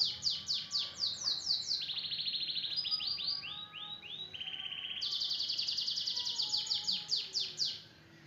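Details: Canary singing a full tembakan-style song: rapid high trills of repeated descending sweeps, shifting into a lower rolling buzzy trill, then back to fast bright sweeping phrases, with faint background hiss.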